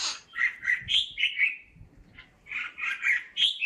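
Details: Caged red-whiskered bulbul, said to be talented, sings lively chirped phrases, a pause near the middle, then another quick burst of bright warbling notes, roughly three to four per second.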